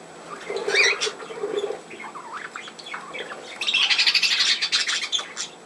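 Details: Budgerigar warbling from 17 November 2024: looping whistled rising and falling notes and a low buzzy phrase give way to a burst of rapid high twittering squawks in the last two seconds.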